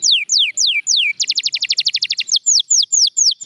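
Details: Singing canary, champion stock: loud downward-sweeping whistles, a quick burst of rapid repeated pips, then more rising-falling slurred notes.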